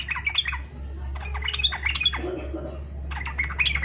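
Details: Fighter-style yellow-vented bulbul song, used to stir other bulbuls to sing; choppy bubbling notes in short bursts against a strong low-pitched hum.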